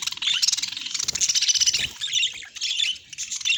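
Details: Happy budgerigar pouring out a dense, high, gravelly warble of fast chirps and buzzy trills with hardly a break, some soft low knocks underneath.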